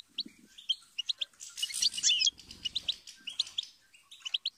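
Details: Goldfinch twittering with high chips and trills, overlaid midway by a rushing, broad burst of noise and a low hum.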